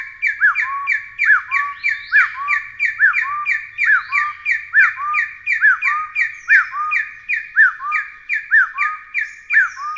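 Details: Taiwan hill partridge giving a long run of quick repeated whistles, overlaid by a second pattern of hooked, rising-then-falling notes, each followed by a lower level whistle. The two patterns interweave throughout.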